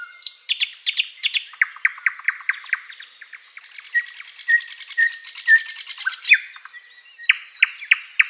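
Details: Thrush nightingale singing at sunrise in spring forest: loud chirps, a long run of evenly repeated notes, soft whistles, then a further series of sharp downslurred chirps.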